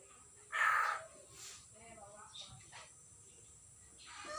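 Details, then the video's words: Common hill myna, freshly caught and not yet speaking, on 6 December 2022, gives a single raspy, grating squawk near the start, then quieter scattered rustles and faint chatter. "burung beo baru di tangkap belum bicara"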